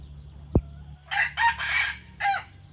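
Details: A white decoy red junglefowl gives a short, harsh crow of three raspy syllables, the middle one longest and the last rising then falling. A single sharp click comes just before it, with a faint low hum behind.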